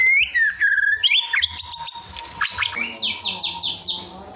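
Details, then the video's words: Loud white-rumped shama master song opening with clear looping whistles, then quick chattering notes and a run of five buzzy, evenly spaced harsh bursts, with a faint continuous hum beneath. "Masteran Burung Murai Batu"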